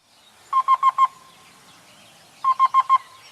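Black-billed Cuckoo song: quick groups of four soft, even 'cu' notes, evenly spaced like a timer's beeps. The group is repeated after about two seconds.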